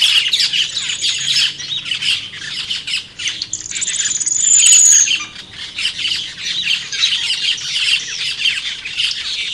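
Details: Cucak keling birds in the wild: a dense, continuous chorus of harsh squawks and sharp chattering notes from many birds at once, with a longer thin whistled note near the middle.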